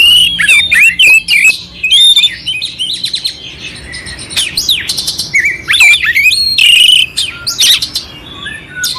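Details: Oriental magpie-robin singing clearly with rough 'isian kasar' fill, meant as a master recording to excite another magpie-robin. A dense, varied stream of whistled slurs, harsh rasps and quick chips, pausing briefly between phrases.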